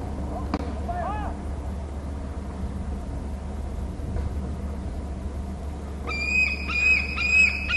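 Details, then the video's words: Bald eagle near its nest and territory on Hornby Island, picked up by a nest camera: after a stretch of low steady hum, a short run of high, piping, chattering notes rises near the end. "hearing an eagle call"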